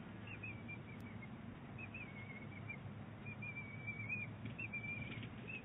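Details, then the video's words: Bald eagle eaglet and its mother calling back and forth at Big Bear Lake on 23 April 2018: short high piping notes in loose runs, some slurred and drawn out, with steady low background rumble. "Big Bear Lake eagles; great conversation!"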